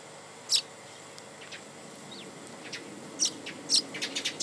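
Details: Japanese white-eye recorded at home: a loud thin high chip, then scattered fainter high notes and a closing burst of sharp short chips, over a steady low hum.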